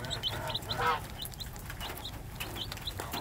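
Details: Hen with 3-day-old chicks, the chicks giving quick high-pitched peeps in short bursts, with one louder lower cluck near the start.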